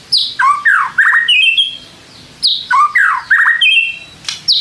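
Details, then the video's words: Shama song used to provoke rival shamas: harsh falling squawky notes and quick downslurs followed by thin high whistles, the pattern given twice. "pancing MURAI BATU malas bunyi/bahan paling GAMPANG direspon tanpa takut"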